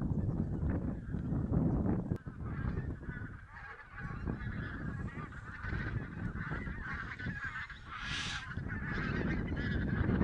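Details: Large mixed flock of wild geese (barnacle, white-fronted, greylag and bean geese) in Silesia, Poland, 11–13 November 2016, during a goose count. They honk continuously in a dense overlapping chorus of nasal, yelping calls over a low rumbling background.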